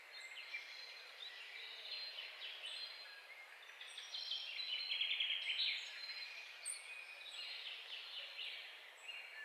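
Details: Continuous chattering goldfinch song of tightly packed high chirps and bubbling trills, swelling louder near the middle, set against constant soft environmental hiss.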